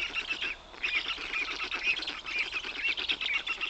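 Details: Black storks in Notecka Forest, Poland, on 18 June 2021, as the father brings big fish for dinner, give hoarse, wheezy calls broken by short, high rising squeaks about every half second, over a steady rushing hiss.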